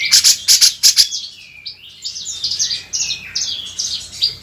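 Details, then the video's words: Grey-cheeked bulbul tutor song used to train songbirds: a burst of sharp high chirps, then a run of varied sliding whistled phrases that rise and fall. "Suara masteran burung cucak jenggot"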